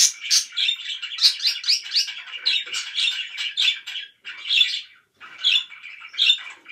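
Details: Budgerigars kept as pets warble in rapid squeaky chatter, loud and continuous at first, then in separate bursts split by short silences.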